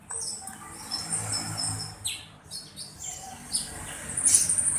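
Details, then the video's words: Black-browed reed warbler singing energetically: thin high whistles and scattered chirps, fairly faint, over a low background hum. "BURUNG KERAK BASI ALIS HITAM GACOR/MASTERAN KERAK BASI"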